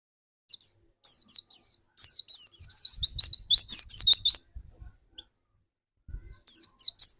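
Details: High-pitched, lively twittering from a dakun white-eye singing prolifically as a lure for other white-eyes. Quick repeated slurred chirps run for about three seconds, then a short quiet spell, then a few more notes.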